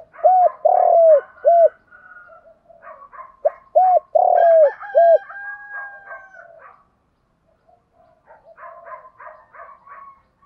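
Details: Spotted dove coo phrases, played as a morning fighting lure: two bursts of deep arched coos, each with a longer drawn note, amid steady background twittering and a thin whistled tone from other birds.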